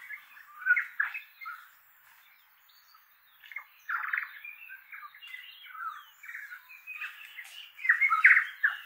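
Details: A flock of tui in autumn, exploring an oak tree in a native-bush valley in inland Kapiti, New Zealand, sing together in a jumble of harsh squawks, clicks and short ringing notes, the phrases overlapping in irregular bursts with brief pauses.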